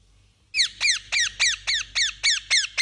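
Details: Parakeet calling after a brief silence with nine evenly spaced, high, falling chirps, about four each second.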